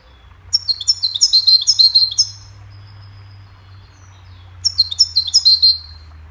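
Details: Cheerful goldfinch melody recorded to teach other songbirds: a long, jangling phrase of quick, high twittered notes, a pause of about two seconds, then a second similar bright phrase, with a low steady hum beneath.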